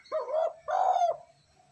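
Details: Spotted dove lure call for training decoy birds: one soft, low coo, then a longer rolling, throaty note. The phrase is short, mellow and clean, with little else audible.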